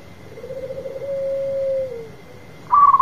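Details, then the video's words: Local zebra dove with a big voice, called a champion, giving a long drawn-out low coo that rises slightly and then fades downward, with the start of a stuttering coo burst at the end. "Perkutut lokal gacor manggung suara besar sang Juara"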